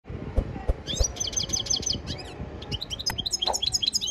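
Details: Song of a European goldfinch in training, with rapid twittering notes, buzzy trills and liquid chirps high in pitch; low thumps and knocks underneath.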